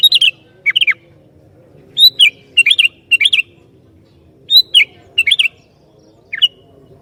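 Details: Sooty-headed bulbul singing to provoke other bulbuls: short bubbly phrases of two or three slurred whistled notes dropping in pitch, repeated in groups with pauses of about a second.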